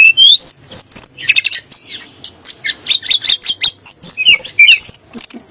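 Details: Sunda blue robin song, known for making magpie-robins and shamas agitated; an upslurred whistle opens a fast jumble of high, thin notes, rattling buzzes and squeaky chips delivered almost without pause.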